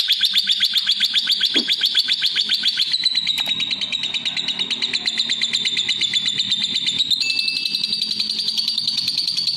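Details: Continuous fast chattering from a lovebird, buzzy pulses repeated nearly four per second, with shifts in pitch and a brief thin whistle near the end.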